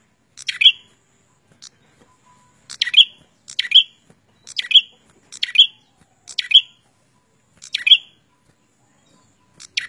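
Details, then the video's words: A prinia repeats sharp, high chirps in short bursts, about one every second, against a quiet background. "Suara Burung prenjak gacor"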